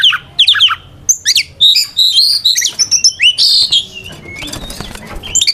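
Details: Challenging fighting song of a white-rumped shama, used to provoke other shamas: dense continuous stream of high whistles, trills and slurred notes, varied and fast, with a faint flutter late on.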